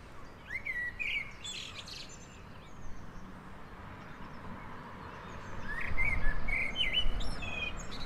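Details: Eurasian jackdaws collecting horse hair as nesting material in Heemskerk, the Netherlands, give short, clipped chirping calls in two bursts over a steady low rumble of wind or outdoor noise.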